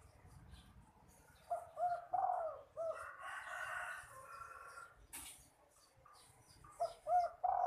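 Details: Young spotted dove, a kept bird, cooing in an unusual voice. Soft low coos come in two short groups of about three notes, separated by a quiet gap. A sharp click and faint rustling are heard.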